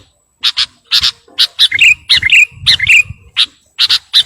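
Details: A lively sooty-headed bulbul sings to call a rival, pouring out quick bubbly chirps and slurred whistles in short bursts, with soft low rumbling beneath.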